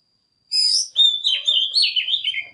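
Oriental magpie-robin song: a high, buzzy opening note, then about two seconds of rich, rapidly changing whistled warbles that slur up and down. No other sounds are heard.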